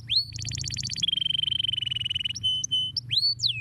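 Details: Canary singing to encourage other birds to sing: a rising whistle leads into a rapid rattling trill, then a long run of fast repeated notes, brief pure tones and a final sweeping downward whistle, with low background hum.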